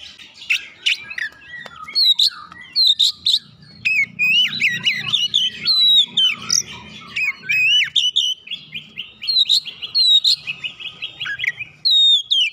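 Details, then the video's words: Oriental magpie-robin singing continuously to rouse a lazy bird: dense, overlapping stream of sweet whistles, sharp chips and quick trills with barely any pause, plus a soft low hum in the background. "merangsang Kacer malas bunyi langsung gacor"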